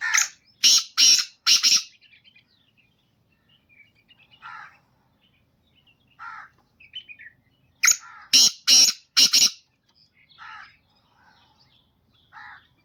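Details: Black francolin, described as a pure Gangas-strain chakri-style bird, giving harsh, loud grating calls in two bursts of four quick rasping notes about eleven seconds apart, with softer chirps from small birds between them.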